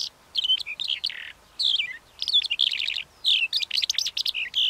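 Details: Calandra lark giving a varied, scratchy song of quick high twittering notes and buzzy phrases, broken by brief pauses, with a sustained harsh note near the start.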